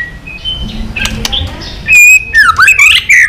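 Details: After about two seconds of quiet background, a White-rumped shama in heated competitive song gives a loud pure whistle, then quick downward-swooping and twisting phrases.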